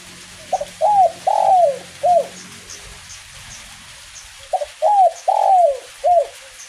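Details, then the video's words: Spotted dove singing steadily in the kuk 1 style during light drizzle: two phrases of mellow coos, each a short double note, an arched coo, a long falling coo and a brief final coo, separated by a pause. A low steady hum sits underneath. "DERKUKU KUK 1 NGACOR DI IRINGI RINTIKAN HUJAN GERIMIS"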